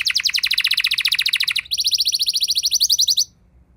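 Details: Two rapid canary trills follow one another, the second pitched higher than the first, before the song cuts off. The song is intended to excite other canaries into singing.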